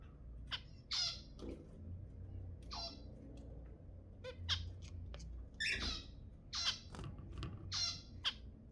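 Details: Zebra finches, with sounds used to stimulate mating, give loud, brief nasal calls at uneven intervals, roughly a dozen in under nine seconds, some sharp and clipped and others longer and buzzy, over a quiet room hum.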